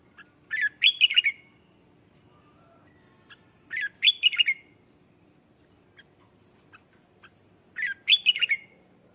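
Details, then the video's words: Decoy red-whiskered bulbul singing to call in wild birds: short, bright, chattering phrases about every four seconds, each a quick burst of rich warbled notes, with quiet pauses between. "Tiếng chào mào mồi hót gọi bổi má trắng"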